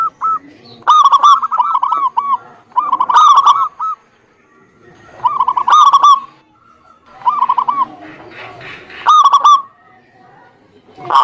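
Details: Zebra dove song used as a lure to get a quiet bird singing: repeated short phrases of fast, bouncing coos every couple of seconds, several birds alternating.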